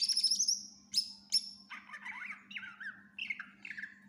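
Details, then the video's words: Loud full song of a greater green leafbird with mimicry fills, for tutoring other birds: a fast high trill and sharp whistles, then lower buzzy warbling and repeated slurred whistles, with a steady low hum. "Cucak Ijo gacor FULL Isian cocok buat masteran burung læn"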